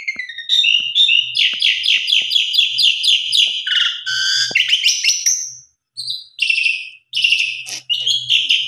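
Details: Javan pied starling lure song, full of fill-in material to get other starlings singing: rapid rattling chatter of harsh repeated notes mixed with whistles, then short bursts separated by brief gaps.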